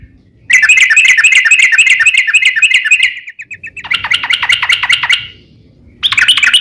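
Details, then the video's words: Yellow-vented bulbul in loud, sustained gacor singing in the long ropel style, used to prompt other birds to answer. Fast, even runs of harsh notes repeat about three times a second, break off, then restart. "trucukan gacor ROPEL PANJANG"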